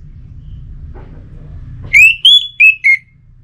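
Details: Anis merah (orange-headed thrush) singing for pacingan stimulation, northern Bali: four clear, pure whistled notes, rising then falling slightly in pitch, evenly spaced over about a second, after a quiet start.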